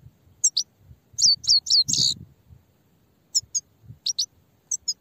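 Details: Grey-headed goldfinch singing. Very high, thin twittering chirps come in quick clusters of two to four notes with short pauses between, and a soft low rustle runs beneath.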